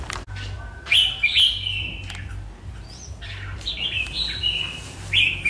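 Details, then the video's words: Red-whiskered bulbul from Hoà Bình, kept more than two seasons, delivering drawn-out whistled notes with sliding pitch, ending in a sharp bright phrase, over a low mechanical hum. "Chào Mào Mộc Hơn 2 Vụ Bộ Đẹp Gấu Chim Giọng Rất Hay Gốc Hoà Bình"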